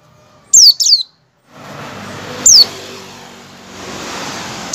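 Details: An Oriental white-eye (Zosterops palpebrosus) gives repeated thin, very high, sharply falling 'tsee' calls, two in quick succession and one after a pause, over passing traffic rumble; the calls are used to lure white-eyes into singing.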